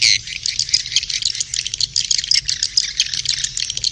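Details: Swiftlet calls during mating: rapid, rattling high chirps run together in an unbroken, pulsing twitter from several birds at once.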